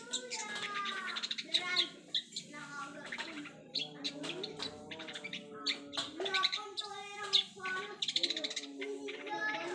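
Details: Long-tailed shrike learning mimicked sounds: a varied, fast run of harsh chirps, squeaky whistles and scratchy chattering phrases, with faint human voices in the background.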